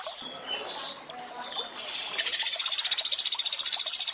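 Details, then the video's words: Sunda pygmy woodpecker, recorded with water sounds to train sogon: gentle running water with faint high chirps, then a loud, steady, rapid trill of evenly spaced high pulses lasting about two seconds. "Masteran untuk sogon tembakan mewah pelatuk beras + suara air"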